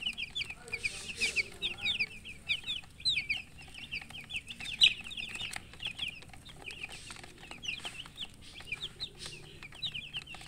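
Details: Chicks, several of them, peeping constantly in high, short, descending notes that overlap into a busy chorus, with soft clicks and rustles underneath.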